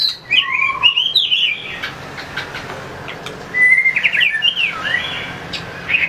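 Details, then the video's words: White-rumped shama in fight-song training gives two short bursts of high warbled whistles separated by about two seconds of quiet background hiss. "luyện chòe lửa hót đấu,đập đuôi chạy cầu | murai batu"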